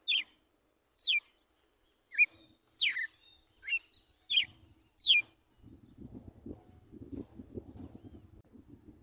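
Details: Red-cowled cardinal, a wild bird, giving its tiro de guerra song style in the morning: seven sharp whistled notes, each a quick slurred sweep, spaced about one second apart, followed by low rumbling background noise.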